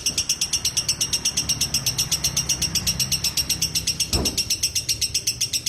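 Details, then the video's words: A lovebird delivers continuous ngekek chatter, quick shrill repeated notes about four per second, with a brief low thump near the fourth second and a quiet hum underneath. "Love Bird ngekek 2 menit"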